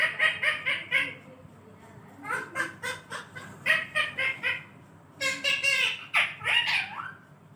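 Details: A talking parrot asks mummy for roti in Hindi. It gives rapid, rhythmic runs of raspy, voice-like syllables, about four per second, ending in two squeaky rising notes.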